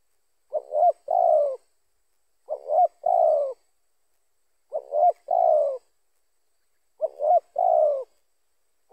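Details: Spotted dove calling, a lure call that can attract other spotted doves: low, soft coos in a short stuttered pattern ending in a longer drawn note, repeated roughly every two seconds, four times.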